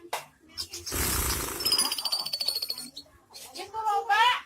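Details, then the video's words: Javan pied starling in full song, its song filled with lovebird imitations: a loud harsh rasping burst with thin high whistled strands over it, a short pause, then chattering notes ending in a clear rising whistled phrase. "Jalak suren isian love bird"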